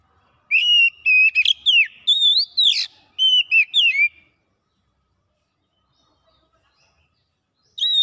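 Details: Oriental magpie-robin (kacer) singing gacor-style, unloading its isian repertoire: a run of clear whistled notes near mid-high pitch with sharp upward and downward slides, lasting about four seconds, then silence and one more whistle at the end.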